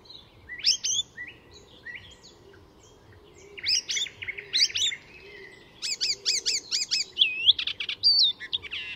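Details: At Fysingen, Sweden, a mimicking Icterine warbler gives spaced high chirps and buzzy notes, then a dense rapid series of repeated sharp notes ending in whistled slurs, the pace building toward the end.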